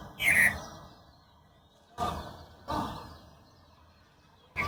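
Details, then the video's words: Birds chirping in late afternoon as the sun sets, heard from a rooftop: a few short, bright chirps early on, then several soft broadband rustling bursts spaced about a second apart. "পড়ন্ত বিকেলে ডুবন্ত সূর্যের সাথে পাখির কিচিরমিচির"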